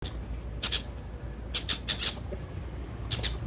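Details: A Red-vented Bulbul (Pycnonotus cafer) gives short, harsh chirps in brief clusters of two to four notes spread across a few seconds, over a steady low background rumble.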